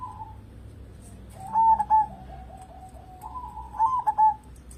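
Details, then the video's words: Local zebra dove in full song, used as a lure to prompt other birds to sing. Two phrases of three quick, soft coos, each trailing into a low, rolling purr-like trill. "burung perkutut lokal gacor cocok buat pancingan"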